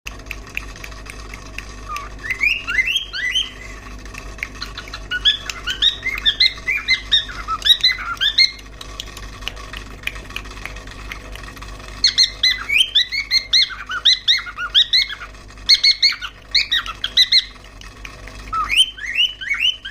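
An angry cockatiel gives harsh, scratchy squawks in rapid bursts, rising and falling in pitch.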